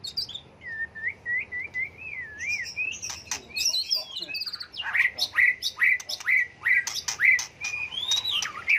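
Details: White-rumped shama in a multi-voiced, ever-changing song meant to spur other birds into singing contests: wavering whistled trills give way to a run of sharp, repeated slurred notes, about two per second.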